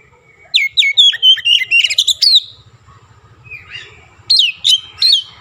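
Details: Oriental magpie-robin singing with Javan myna (jalak kebo) imitations woven in. A rapid volley of ringing, down-slurred whistles, a soft burry phrase, then three more clear whistles spaced evenly apart. A low hum sits beneath.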